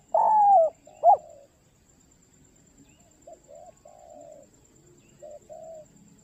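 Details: Calling for its companion, a spotted dove gives a loud drawn-out coo and a short accented note. A few quiet, distant-sounding coos follow after a pause.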